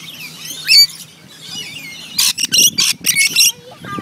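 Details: Wild rainbow lorikeets at a koala sanctuary feeding session, climbing over food bowls. A quick squeal is followed by a volley of harsh, grating screeches in short bursts, several birds calling over one another.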